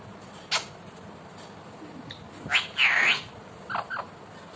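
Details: Indian ringneck parakeet kept as a talking pet: a short sharp note, then a drawn-out nasal arching call, followed by two quick clipped notes, over quiet room hiss.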